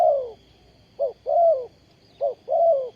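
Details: Spotted dove serving as a trapping decoy, 20 April 2020, repeating its phrase: a clipped coo followed by a long, gently falling croo, given about twice in three seconds against a thin continuous high hum.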